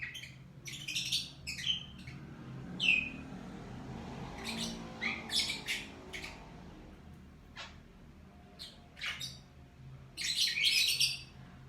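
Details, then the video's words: Morning calls of a lovebird: quick irregular high chirps and squeaky squawks, sparse in the middle and ending in a dense loud flurry, with a low hum behind. "LOVE BIRD Kicauan Burung Di Pagi Hari"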